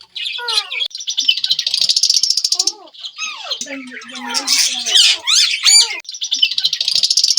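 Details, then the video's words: Several Indian ringneck parakeets kept as talking parrots, giving speech-like warbling phrases with sliding, wavering notes, mixed with rapid raspy chatter and short squawks. "Multiple Ringneck Talking Parrots Collection"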